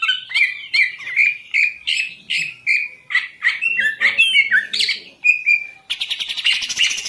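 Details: Green leafbird in a cage in Indonesia gives a series of loud, evenly spaced whistled chirps about twice a second, each with a slurred twist, ending in a fast buzzy twittering run.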